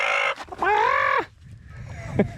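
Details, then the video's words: Farm chicken in North Carolina during a drought, just after being given water: a short harmonic squawk, then a drawn-out, nasal complaining cackle and two soft clucks close to a man's voice, heard as the bird fussing at him. "I think I just got fussed at by a chicken. Did you hear that?"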